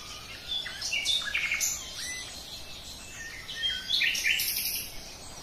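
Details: Common nightingale song of varied phrases, with rising and falling whistles, short clicks and several bright buzzy bursts spread through the passage, with soft background hiss.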